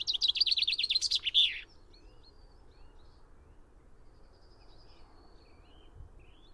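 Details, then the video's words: Common chaffinch song opens the recording: a fast, rattling series of falling notes ending in a flourish, then several seconds of quiet with faint, distant thin bird calls. "O canto do TENTILHÃO-COMUM (FRINGILLA COELEBS)/CHAFFINCH SONG"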